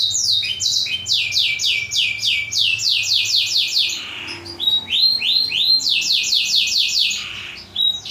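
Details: Model song of a black-throated canary for training canaries: quick series of repeated down-slurred whistles in two long trills separated by a brief softer gap.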